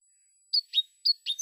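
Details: European goldfinch from a Spanish competition song recording, a short fragment of sharp, high twittering notes in two quick pairs against a silent background.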